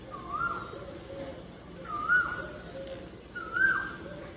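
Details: Asian koel giving repeated clear whistled notes that rise and then fall, three in a row about every 1.6 seconds, over soft outdoor background noise.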